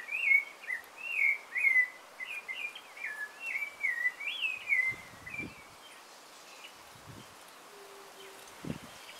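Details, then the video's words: Dawn singing by a rufous-bellied thrush: rich warbled whistled phrases tumbling one after another for about five seconds, then only faint distant notes, hiss and occasional low knocks. "Canto del Zorzal - Canto do Sabiá Laranjeira - Z. Colorado (Turdus Rufiventris)"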